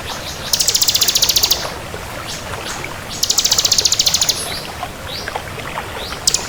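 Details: Crystal bar-winged prinia in vigorous song: two long, high-pitched, evenly pulsed rattling trills, each over a second long, then scattered soft chips and a final sharp note, with constant hiss.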